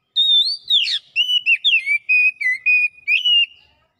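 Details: Oriental magpie-robin (kacer) in fast gacor song with mimicry: a wavering high whistle, a harsh buzzy downslur, then a rapid series of about eight short whistled notes, mostly level and dipping.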